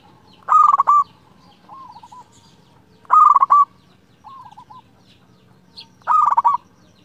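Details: Clear-voiced local zebra dove singing to provoke a rival. Three loud, pulsed, rolling coo bursts come roughly every three seconds. Each is followed by a quieter, wavering coo, with faint low background hum throughout.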